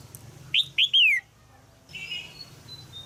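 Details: Female red-whiskered bulbul in a cage in Thailand calls to stimulate a young male's singing. One phrase of two short chirps and a longer falling slurred note, then a low hum and a faint high tone.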